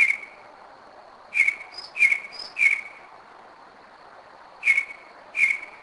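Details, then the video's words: Northern mockingbird at night, 2am, Kennesaw, Georgia, 2011, a bird coming back to the same spot for several years; single buzzy whistled notes spaced about half a second apart in groups, with faint higher whistles between them. "Mockingbird 2am 2011"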